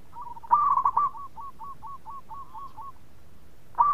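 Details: Local zebra dove (perkutut) in a lure recording meant to get other doves to answer quickly. A run of short, hooked, evenly spaced cooing notes follows a louder rolling burst, with another loud note starting at the end.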